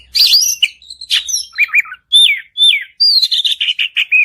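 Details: Oriental magpie-robin giving continuous 'gacor panjang' song meant to prompt a quiet bird to reply: rapid varied whistles, repeated downslurred notes in pairs, then a fast run of bright chirps.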